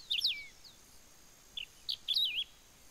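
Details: Wedge-tailed grass-finch in Ouro Branco, Minas Gerais, Brazil: high, thin warbled phrase with a descending slur, then two short chips and a final quavering squeaky flourish, steady faint hiss in the background.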